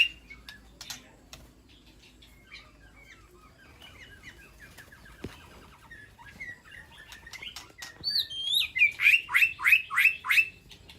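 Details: White-rumped shama kept in an aviary, calling to its flock: quiet scattered twitters and clicks, then near the end high whistled slurs followed by a rapid string of about seven bright descending chips.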